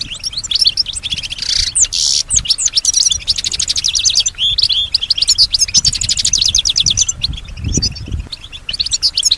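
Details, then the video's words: European goldfinch, female, singing back at other sounds around her: almost unbroken rapid high twittering with buzzy trills and chattering notes throughout, faint low thumps in the background. "Solutions to keep your goldfinch healthy and singing with strong stimulation"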